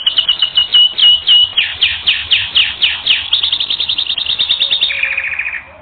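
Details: Training recording of a singing canary: rapid repeated chirps speeding into a fast trill, then a lower rolling trill before the phrase fades out.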